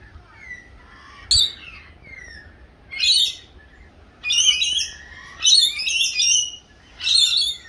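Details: Rainbow lorikeets in Australia during a feeding frenzy: harsh, shrill screeches in short bursts of about a second, six bursts over eight seconds, with quieter chattering between them.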